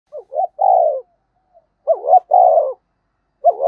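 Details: Spotted dove giving 'gáy thúc' and 'gáy gọi' calls, styles played to draw wild doves into answering. Two short rising coos, then a long, even, throaty coo, repeated twice with a third phrase starting at the end; otherwise quiet.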